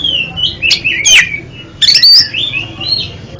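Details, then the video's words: Oriental magpie-robin song used as therapy for a kept bird that stutters: varied clear whistled phrases, rising and falling, cut by loud harsh broadband notes. "MANTAB BUAT TERAPI KACER ANDA YANG GAGAP BUNYI JADI JOSS KICAUANNYA"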